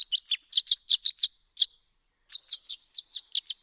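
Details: Violet-green Swallow singing in flight in the dark before dawn, around 2 a.m., circling high against the stars: sharp, high chirps in two bursts, a quick run of notes, a pause, then another chattering series.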